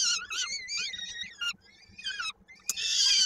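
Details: Peregrine falcon chicks at a Koszalin, Poland nest, 16 May 2022, fed by the adult female while one chick's foot is stuck in a beak: wavering, grating wails, a brief pause and a sharp click, then a loud rasping scream, low hum beneath.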